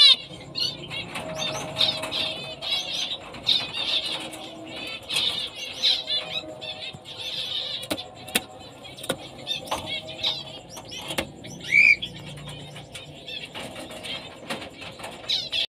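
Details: Black-breasted, orange-breasted fawn female zebra finch: long run of repeated nasal trumpet-like calls with clicks and knocks throughout and a brief louder squeal partway.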